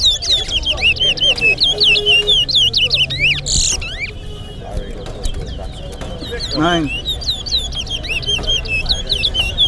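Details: Towa towa singing in a Georgetown versus Berbice whistling competition at Lusignan bird ground, Guyana: rapid, high whistled notes with sharp upward and downward sweeps, repeated over and over, while men talk and count aloud and brief music sounds.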